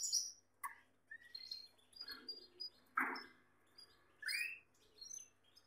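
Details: Male Gloster canary cuddling with a female, giving scattered bright chirps and short high whistles, a few notes rising, with occasional soft rustling and clicks in between. Canary.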